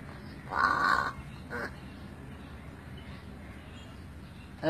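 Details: Crow heard in a home where it talks to its owner: one short, harsh caw over low background hum, with a faint second note soon after.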